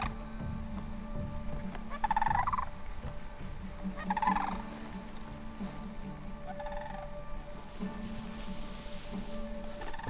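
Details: Sandhill Crane in alpine meadows of Southeast Alaska's rainy islands, where they live in spring and summer, giving loud, rolling, trumpeting rattles in two strong bursts about two seconds apart, then a fainter third, over a low musical drone.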